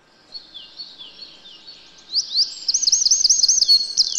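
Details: Eurasian wren wintering in a yard: thin high warbled notes at first, then a loud, rapid run of sharp looping trilled phrases that grows stronger toward the end.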